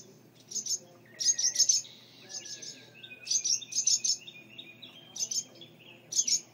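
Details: Agitated calls from birds defending a mud nest with two young on a porch light fixture as the door opens: quick groups of piercing high chirps separated by brief pauses, plus a thin sliding whistle midway.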